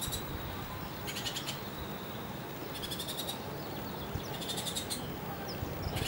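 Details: Bullock's oriole nestlings giving short raspy, buzzy bursts of rapid ticking notes, roughly three bursts over six seconds, fairly faint above a steady broad background hiss.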